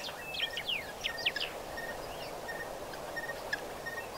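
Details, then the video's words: White-fronted bee-eater recorded at Pete's Pond on 7 November 2012: a burst of quick, squeaky, slurred chirps in the first second and a half, then sparser thin notes over continuous rushing background noise. "White fronted Bee eater"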